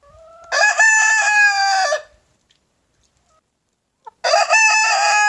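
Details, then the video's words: Leghorn rooster crowing: two loud, drawn-out harmonic crows, the first lasting about a second and a half and ending in a drop, the second beginning near the end after a quiet gap. "Ayam Leghorn BERKOKOK"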